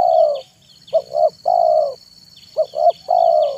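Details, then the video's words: Afternoon cooing of a spotted dove (tekukur), meant to draw in wild doves: phrases of two quick hooted notes followed by a longer low coo, repeated twice, over a constant high-pitched hum. "SUARA BURUNG TEKUKUR MANGGUNG DI SORE HARI"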